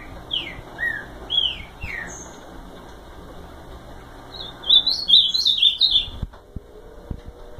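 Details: Ultramarine grosbeak singing: a few high, slurred whistles, each dropping in pitch, then a fast, jumbled, warbling phrase of higher notes, over a low, steady background hum.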